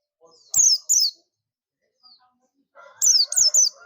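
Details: Oriental white-eye of the buxtomi type calling its companions (ngalas): two sharp, high descending chirps, a pause, then three more in quick succession, with a faint low hum beneath the later notes.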